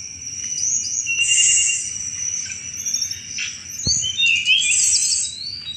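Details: Sunda robin in energetic chattering song, a recording meant to lure thrushes: high thin whistles and dense twittering bursts, with a steady high insect-like drone underneath throughout.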